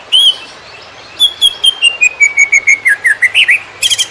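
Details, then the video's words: Greater green leafbird song recorded as training material for other birds: a long whistle, then a series of rapid whistled notes gently descending, ending in wavering upturned notes and a brief noisy burst. "Cucak Ijo Konslet Tiada Lawan! Masteran Super Hot Buat Cetak Burung Lapangan"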